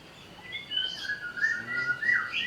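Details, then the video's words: Greater green leafbird, stirred up to sing: soft, sliding whistled notes rising and falling, growing louder toward the end. "pancingan burung cucak ijo agar bunyi sambil emosi"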